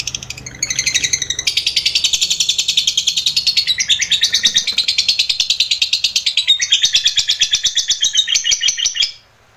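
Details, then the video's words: Lovebird giving a long 'ngekek panjang' trill, used as a master recording to train other lovebirds. A high, rapid chattering trill of very fast repeated notes runs almost unbroken for about nine seconds, with slight shifts in pitch before it stops abruptly. "lovbrid GACOR ngekek panjang"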